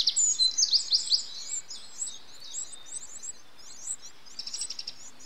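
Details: Eurasian wren adults feeding nestlings, recorded 8 June 2013; rapid high thin chirps and trills, dense and repeated about three times a second, loudest at the start, then softer twittering with a short buzzy rattle near the end.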